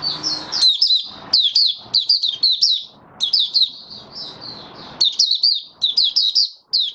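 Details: A male white-eye in song, building its form, pours out rapid high chirping phrases in bursts separated by short gaps, lively and twittering, with faint low background noise.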